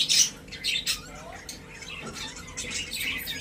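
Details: Pet budgies in a cage: a loud, harsh squawk opens, followed by quieter scattered chirps and scratchy chatter that rises slightly toward the end.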